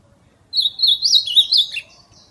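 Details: Ultramarine grosbeak calling and singing in the wild, a "fibra" style song: one rich, warbled phrase of about a second and a half, sliding up and down at a high pitch, over a faint low background hum.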